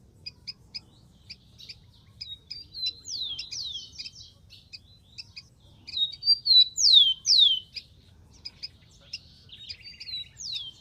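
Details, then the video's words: Wild rufous-collared sparrow singing: sharp paired chip notes, then bright tonal whistles and steeply falling slurred whistles in two bursts, with a low hum underneath. "BURUNG KICAU"SPARROW RUFOUS"(KICAU MANIA)Full Gacor di alam liar"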